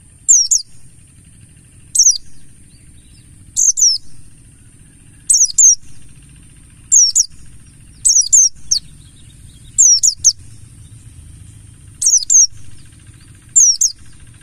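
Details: Mountain white-eye, buxtoni, heard as a lure: sharp, high falling double notes repeated about every one and a half to two seconds over a quiet background.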